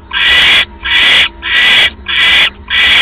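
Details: Owl at a nest at 3:40 AM, October 5, 2015, when another rat is brought in as prey. Breathy, rasping screeches pulse regularly, five in three seconds, each harsh and noisy.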